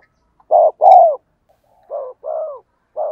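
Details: Spotted dove decoy call with a 'giọng đồng' voice, meant to make wild birds coo in reply: a loud two-part coo, a short hoot then a longer falling one, followed by softer repeats of the same paired pattern.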